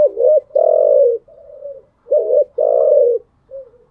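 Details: Caged spotted dove's morning coo phrase given twice: a short dipping note, a long loud throaty coo and a soft tail, repeating after about two seconds.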